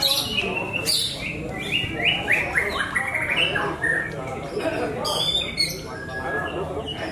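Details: White-rumped shama, Javan larwo type, singing in a cage at a contest: a run of clear whistled notes stepping upward, then sharp high chips and a falling whistle, with people talking in the background.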